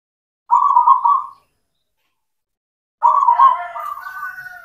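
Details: Zebra dove, local cemani variety, in full voice, used as a lure for doves that have stopped singing: one rolling, beaded coo phrase, a pause of over a second, then a longer phrase with a trailing, fading tail.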